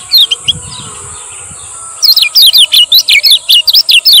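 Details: Male Lemon-bellied white-eye from Lombok, used to lure and train quiet birds: two early high chirps, a pause, then a quick string of about a dozen bright descending notes, with a steady high-pitched hum underneath.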